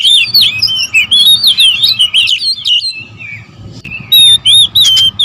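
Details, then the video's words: Several oriental magpie-robins, a territorial bird, sounding off together: a run of tumbling whistled phrases, a lull near three seconds, then clear, evenly spaced high whistles and chips closing the clip. "KACER RIBUT"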